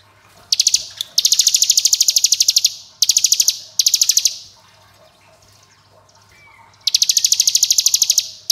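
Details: Hill prinia (ciblek gunung) giving its ngebren style of song, nicknamed AK47: four long bursts of rapid, buzzy, machine-gun-like pulsed trills, each lasting one to one and a half seconds, separated by short pauses.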